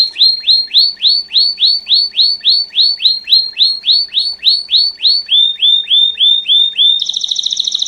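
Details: Pure campainha (bell) song from a Belgian canary master singer: evenly spaced, rising-and-falling whistled notes, about three per second, then a shift to lower notes and a closing rapid high trill.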